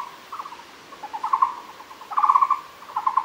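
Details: Muller's barbet recorded at Fushan: short bursts of rapid, pulsed, hollow notes in a narrow low-mid pitch band, two louder trilled phrases after fainter stuttering notes, over a quiet hiss.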